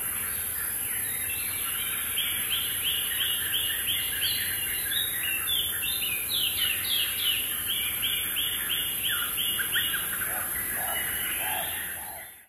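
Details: African hawk-eagle pair at Samburu National Reserve, Kenya, giving long runs of shrill, yelping whistled notes, about three a second, with a few lower notes near the end over steady background hiss.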